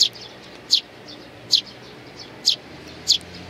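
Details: Sparrows with nestlings on 8 May 2019 utter five loud, high chirps at irregular intervals, with softer chirps from other birds between them.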